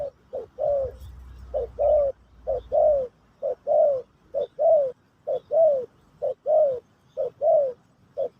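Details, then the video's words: Spotted dove of the Pesom or Kacuk style singing for a new bird to learn; clean, steady series of short paired coos, each falling slightly, repeated about once per second with little background. "Burung Terkukur Pesom/Kacuk...Sesi Mengajar Burung Baru"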